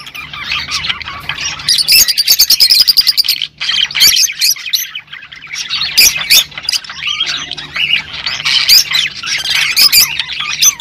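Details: Mixed rosy-faced and Fischer's lovebirds in a mating-stimulation chorus: steady shrill squawking and buzzy chatter with rapid rattling runs, a short dip near three and a half seconds, then more overlapping screeches.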